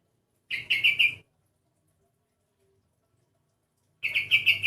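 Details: Strange-sounding sooty-headed bulbul delivering two quick chattering runs of buzzy chirps, separated by about three seconds of quiet.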